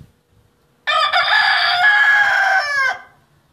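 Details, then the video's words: Rooster crowing once, loud and harsh, a single sustained cry of about two seconds that holds a steady pitch before breaking off and fading at the end. "Rooster Crowing"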